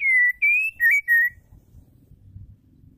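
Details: Female white-rumped shama singing to stimulate males to sing: four clear whistled notes, the middle ones slightly rising and stepped, followed by a quiet low hum.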